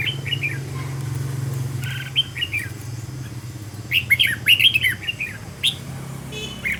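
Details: Red-whiskered bulbul decoy bird being trained to sing; sparse short whistled phrases, then a livelier burst of chirping notes, over a constant low droning hum.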